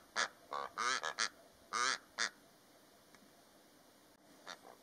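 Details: A pair of Rüppell's korhaans calling in the Namib Desert, a burst of harsh, rasping croaks, about seven in two seconds, then a pause and two fainter croaks.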